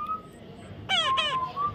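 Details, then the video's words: Baby parrot, described as a natural funny parrot sound; two short harsh, harmonic squawks close together near the middle, then a faint whistled tone, with a person repeating words nearby. "natural funny parrot sound"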